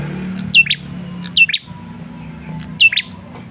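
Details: ['Male red-headed tailorbird calling as a lure for a response. Bright, high falling double notes are repeated three times, separated by short pauses, over a low steady hum.']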